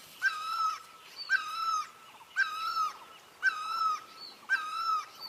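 A great barbet gives five loud, wailing "pee-oh" calls, each slightly falling with a nasal, mewing tone, repeated about once a second.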